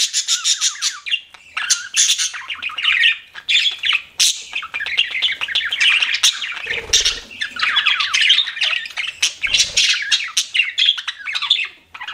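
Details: Pet budgies keep up a lively chirping chatter of fast descending chirps and raspy squawks, broken twice by brief low knocking sounds.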